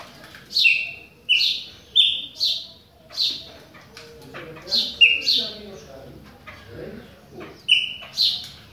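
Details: Chopi blackbird song during rain, a series of sharp downward-swept whistled notes repeated roughly every half second to a second, with soft background murmur.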